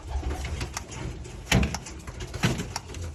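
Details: A small pigeon making strange sounds in its throat indoors: two low, throaty coos about a second apart over a steady rumbling room hum.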